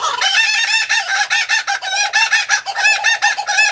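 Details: Laughing kookaburra laughing: a fast run of harsh, cackling notes, about five per second, rising and falling in loudness in rolling waves, with no other sounds.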